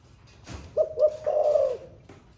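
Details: Captive spotted dove singing in the thổ pha voice, newly in song and cooing all day: two short soft coos followed by a drawn-out low coo, over faint background noise.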